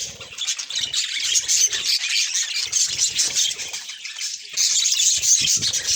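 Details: Pet budgerigars chattering together in a dense, continuous mix of high chirps, warbles and squeaky notes, with many birds calling over one another and no pauses.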